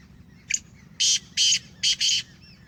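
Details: Sheedi strain black francolin, home-bred, calling with one short note followed by four loud, rasping bursts in quick succession against faint background noise.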